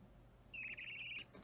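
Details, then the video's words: Budgerigar chick about three weeks old, an opaline or normal green, being hand-fed indoors, recorded 30 March 2017: a single harsh, raspy begging note lasting under a second, with a faint low hum behind it. "セキセイインコ雛ピースの挿し餌♪生後約3週間 Feeding Baby Budgie/Budgerigar"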